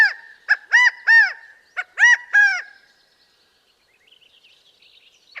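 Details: California Quail, a bird of open, scrubby habitats, giving its loud, far-carrying three-noted call twice: nasal arched notes with the middle one strongest and highest; faint chirps trail off afterward.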